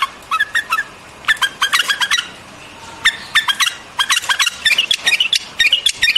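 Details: White-eared bulbul repeating short, chirpy phrases of three to five quick notes, separated by brief pauses, growing busier toward the end.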